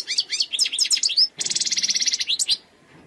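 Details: European goldfinch living wild, khalwi song: lively slurred twitters for over a second, then a sustained, grating buzzy trill pulsing quickly before fading.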